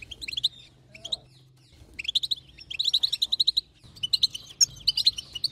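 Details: European goldfinch female chatter meant to make the male sing: fast bright twittering notes in short runs separated by brief pauses, with a faint low hum beneath.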